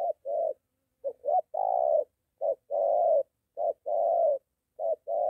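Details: Spotted dove in Gia Lai, Vietnam, a moulting decoy bird facing a wild dove near home: paired coos, each a brief note followed by a fuller, longer one, given roughly every second in a steady series.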